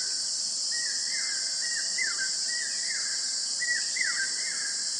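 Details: Juvenile rufous-bellied eagle (Lophotriorchis kienerii) in Kanha National Park, Central India, December 2023: thin, high whistled notes slurring downward, about twice a second, over a steady shrill insect drone.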